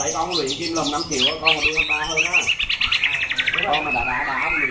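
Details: Contest white-rumped shama with a loud, rasping voice, singing warbled low notes then a fast run of repeated high chirps, ending in rising whistles.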